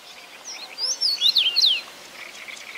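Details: Common rosefinch giving one short whistled song phrase of four or five slurred, clear notes, swooping up and down, over a quiet outdoor background.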